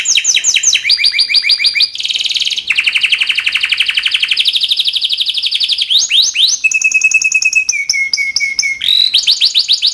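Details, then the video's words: Timbrado canary song with varied high tours: rapid rolling trills, long buzzy sustained passages, then steady clipped whistled notes and quick rising phrases. "Timbrado canary singing beautiful melody"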